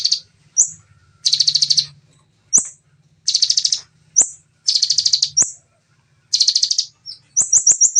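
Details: Ciblek, the bar-winged prinia, delivering the rapid, clear 'nembak' song: four harsh buzzing trill bursts separated by short gaps and single rising flicks, ending in a quick string of high chips over a faint low hum.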